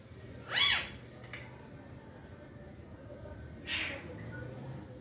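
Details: Green parakeets in a talkative mood give two short, harmonic, voice-like calls about three seconds apart over a quiet indoor background hiss.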